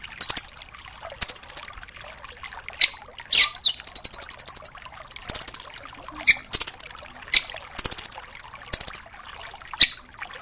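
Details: Velvet-fronted nuthatch ('rambatan doraemon') tutor song for songbirds. High, rapid trills of several notes are repeated about every second, each burst separated by sharp, clicking chips.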